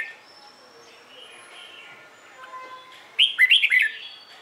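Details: Red-whiskered bulbul singing in the morning, used to train and stimulate other bulbuls to sing; after a quiet stretch of faint distant chirps, a short loud burst of warbled, rising and falling whistled notes.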